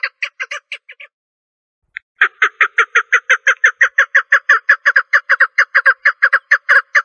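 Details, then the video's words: Female partridge calling: a loud, rapid series of harsh, clucking notes, a short burst, a one-second pause, then a long even run repeated about three times a second, clean with no other sounds. "En Güzel Dişi Keklik Sesi 2 | Best Jenny Partridge Voice | Best Female Partridge Voice"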